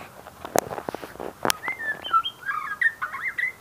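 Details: Song of a white-rumped shama, opening with a few sharp clicks and taps, then a fast tumbling series of rich whistled phrases that swoop up and down. Constant low background hiss.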